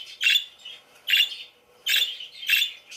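Parakeets give harsh, buzzy chirps, about four bursts in three seconds, each a quick scratchy squawk high in pitch.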